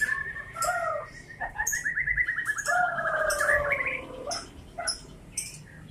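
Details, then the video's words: A white-rumped shama sings a steady rapid trill at a single pitch over low slurred whistles, then rising warbled phrases, broken by crisp clicking notes and brief pauses. "suara murai batu MH"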